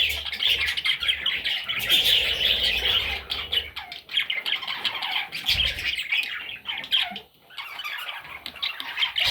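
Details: Baby parrots producing a thick wash of raspy squawks, loudest in the first half, then thinning into separate sharp chirps with short gaps.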